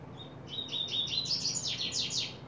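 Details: Double-collared seedeater (coleiro) opening its song in July 2024: a 2.5-second phrase of high, rapid notes, starting with thin whistles and rising into buzzy, descending slurred notes repeated several times. Faint low hum underneath.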